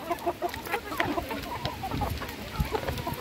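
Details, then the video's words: Hens at feeding, their quick overlapping clucks mixed with low thumps and handling noise in the foreground. "alimentando mis gallinas"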